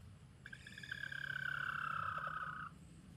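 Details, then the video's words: Chicken alarm call warning the flock: a single drawn-out, rasping harmonic cry held steadily for about two seconds, slightly falling at the end, over a low background hum. "Chickens warn the flock with sounds like this!"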